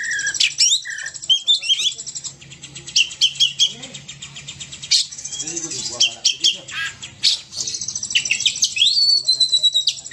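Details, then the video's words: Oriental magpie-robin (kacer) singing hard: buzzy high trills and sharp whistles, a sustained sliding whistle near the close, and faint low sounds beneath. "Kicau kacer gacor ngamuk"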